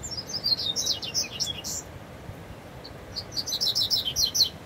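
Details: Double-collared seedeater singing in the bush: a quick, high, jumbled string of chirps for nearly two seconds, a brief pause, then another rapid burst of sharp, bright notes, with a low noisy background.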